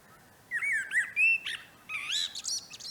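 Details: In a northern no-dig garden at the end of March 2024, a common blackbird gives a rich fluted phrase of rising and falling whistles, then a burst of high, squeaky chattering notes.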